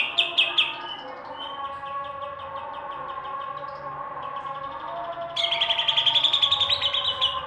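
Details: Greater green leafbird singing in the "roll" and "tembak" styles: sharp high notes at the start, a long run of quick repeated notes, then a loud burst of rapid trilled notes. Steady lower droning tones continue underneath.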